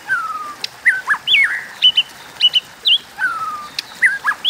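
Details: White-rumped shama singing competitively, 'hót đấu': a long drawn falling whistle, then brief rising and dipping whistled notes and paired chips, repeated in a loose varied pattern.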